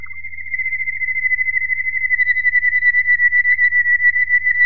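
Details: Waterslager Malinois canary, 2018, sustaining a single pure, even whistled tone for nearly five seconds, pulsing rapidly and growing louder; quiet hum in the background.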